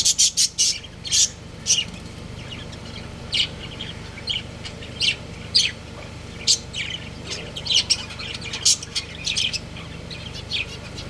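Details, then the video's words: Breeding pair of pet budgies chattering steadily, with quick high chirps and squeaks repeated in irregular clusters throughout eleven seconds, over a low, continuous electrical hum. "Love Birds Chirping Sounds | Cute Budgies Breeding Pair"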